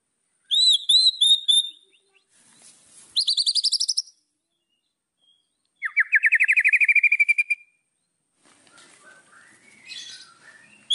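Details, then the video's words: White-rumped shama singing to provoke rival birds, with varied phrases: a run of looping whistled notes, then a buzzy rapid trill, then a long fast rattling series sliding upward, with soft scratchy sounds at the end. "MASTERAN MURAI BATU. AMPUH PANCING EMOSI LAWAN"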